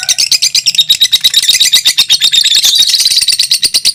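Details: Two fighter lovebirds in close competition, singing over two minutes: a loud, unbroken, high-pitched chattering trill pulsing about three times a second, shrill and rasping throughout.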